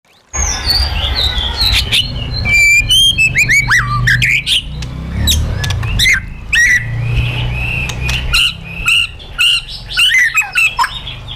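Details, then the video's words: Caged white-rumped shama singing a wild-style song (giọng rừng) used for training, with rich varied whistles, sharp upslurred notes and rapid trills flowing without pause over a low rumbling background. "KÍCH CHOÈ LỬA HÓT 100%, LUYỆN CHOÈ LỬA HÓT GIỌNG RỪNG HAY MỚI NHẤT"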